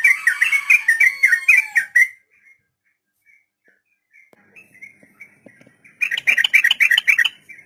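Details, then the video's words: Captive-training recording of sooty-headed bulbul in the long ropel style: a fast bubbly phrase of slurred whistles, a quiet gap with soft distant notes, then another rapid burst of repeated chirps. "Trucukan Ropel panjang || masteran buat burung trucuk pemula"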